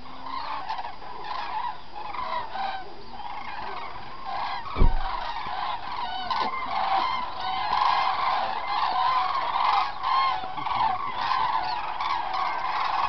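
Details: Many cranes call together at Halastó in the Hortobágy Puszta, Hungary, on 9 October 2008. Loud, rolling trumpeting calls overlap continuously with rich harmonics. A single sharp thump sounds near the middle.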